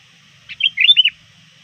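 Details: Single phrase from a sooty-headed bulbul trained as a lure, calling rivals before dusk: a short buzzy note followed by three or four liquid, arching whistles in quick succession.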